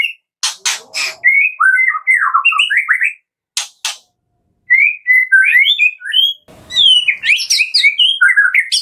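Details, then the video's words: Lively kretekan-style White-rumped shama song for luring shamas into song: sharp crackling bursts alternate with fast jumbled whistled notes and varied warbles. "PANCINGAN JAHAT KRETEKAN MURAI BATU GACOR"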